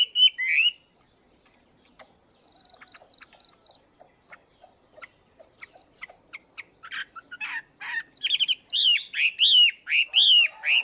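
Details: Caged Chinese hwamei, two months in the cage, training its voice in the morning: a loud slurred opening phrase, then scattered soft ticks and notes building into rapid, loud, looping whistled phrases; a steady high electronic whine persists throughout.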